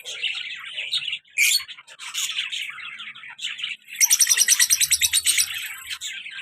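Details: A male and a black-masked female lovebird, an active pair, chatter with dense, high, shrill chirps, ending in a fast burst of sharp, rhythmic squeaky notes lasting about a second and a half.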